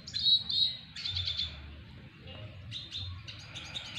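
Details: Double dilute red siskin courting a hen: clear high whistled notes, then a stuttering buzzy phrase, a pause, and further chattering twitters.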